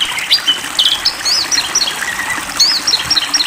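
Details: Oriental magpie-robin of the poci type singing during a water-spray therapy session: quick, bright whistled phrases with sharp upslurred notes and short chirps, over a constant loud hiss of gushing water.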